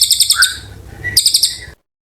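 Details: Oriental white-eye singing, a recording meant for tutoring magpie-robins: two short bursts of quick, sharp, high chirps separated by a brief thin whistle, then the sound cuts off.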